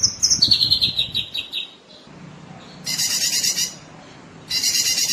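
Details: Sooty-headed bulbul (cucak kinoi) in full song, recorded as training material for contest birds: a run of high whistled notes stepping downward, then two long rasping, buzzy chatter bursts.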